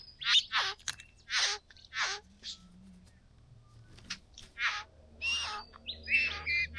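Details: Two young bowerbirds at the bower, excited after discovering blue objects; loud harsh rasping hisses in short bursts, then a quieter pause and more grating, buzzy notes with a few higher squeaky tones.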